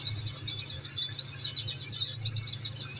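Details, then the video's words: Oriental white-eye song meant to make caged birds reply: a brief, unbroken stream of very high, rapid twittering notes over a constant low electrical hum. "Masteran||Terapi Kicau Pleci"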